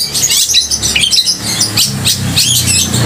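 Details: Loud, clear Long-tailed shrike song for triggering emotion and mating urge in other shrikes; rapid high scratchy chirps and trills over a steady low rumble in the background.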